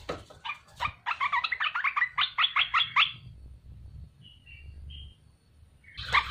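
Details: Wild-caught bulbul, kept in captivity for three months, with its song used as a lure for other bulbuls. It gives a fast chattering run of about twenty short, bubbly notes, then a few soft whistles and a final loud burst.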